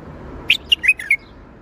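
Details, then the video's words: Bulbul singing a short Baghdadi-style (tor Baghdadi) phrase: five clear, rich whistled notes in quick succession, the first highest, others dipping and slurring, all within about seven tenths of a second, against quiet background. "تغريد بلبل طور بغدادي"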